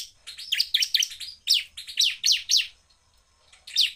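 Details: A bar-winged prinia sings, provoking rival prinias, with fast, powerful, sharp, high chirping notes in quick bursts, each downslurred and emphatic, with short pauses between phrases.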